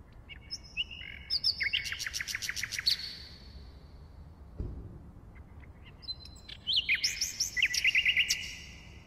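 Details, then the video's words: Common nightingale pours out a phrase of slurred whistles leading into a fast, throbbing series of repeated notes; after a pause with a soft low thump, a second phrase of rapid chattering and looped notes follows. "Bülbül Ötümü (Nightingale singing)"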